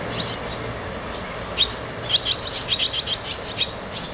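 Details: Barn swallow chicks at the nest, moving in and out, start with a few sparse chirps, then break into a fast, excited run of high twittering begging notes.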